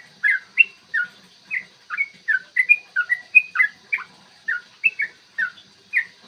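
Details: Yellow-vented bulbul giving its lively 'ropel panjang' fighting song, played as a lure so other bulbuls sing and turn aggressive; morning. Rich chirpy whistles bounce up and down in a steady chattering stream with short pauses.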